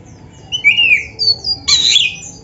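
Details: Black-breasted oriental magpie-robin singing a bird-training song: a descending whistled slur, high thin notes, then an abrupt harsh buzzy squawk.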